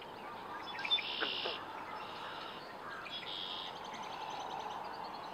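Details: Eastern kingbird (Tyrannus tyrannus) in Canada calling high, buzzy, sputtering notes in two short bursts about two seconds apart, over a steady background hiss.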